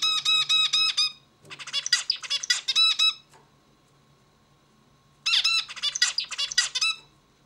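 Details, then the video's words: Zebra finch song repeated indoors: regular nasal harmonic beeps, then raspy buzzy notes, a two-second silence, and the phrase again, over a faint hum. "Bird sings beautifully - zebra finch"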